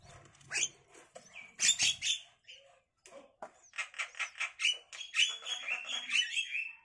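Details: Javan myna chicks about five days old begging while the male and female parents take turns feeding them grasshoppers and caterpillars at a nest in a cage. Harsh squawks give way to rapid, buzzy, repeated chirps, loud and overlapping.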